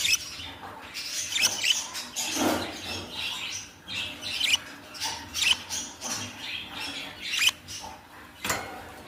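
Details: Baby budgerigars squawking and chattering: a steady run of short, raspy, high chirps and squeaks, with louder squawks every second or so and a soft lower squawk near the middle.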